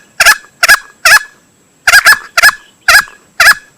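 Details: Hunting lure recording of a male green junglefowl: seven short, loud, harsh notes in uneven groups, some doubled, with quiet gaps between.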